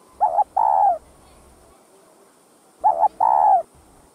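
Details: Spotted dove, known locally as cu đất, giving calls meant to rouse other doves: two mellow coo phrases, each a quick doubled note followed by a drawn-out, slightly falling hoot, with a steady faint high-pitched hiss behind.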